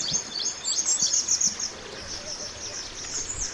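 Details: Mountain white-eye from the wild, a master recording for training birds: a fast, continuous stream of thin, high twittering notes with soft lower noise beneath.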